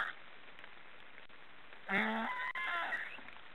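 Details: One snoring call of black storks after a quiet start, a low harmonic drone sliding into a higher wavering whistle that trails off.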